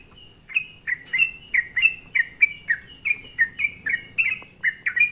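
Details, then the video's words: Yellow-vented bulbul lure song used to provoke other bulbuls into responding: a fast series of short, bubbly, slurred notes, about fourteen in under five seconds, evenly spaced and bright, over a faint low background hum. "semua burung trucuk di buat emosi dengan suara pancingan trucukan gacor ini"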